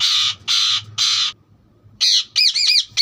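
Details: Three long, broad, grating screeches from a green parrot, a pause, then a quick run of sharp arched chirps.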